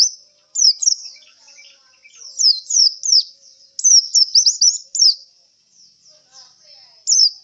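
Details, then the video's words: Caged white-eye, weary after a singing contest, pours out high-pitched, twittering runs of rapid down-slurred whistles, densest in the middle, ending with a final short note after a pause. "suara pleci kelelahan setelah pentas lomba"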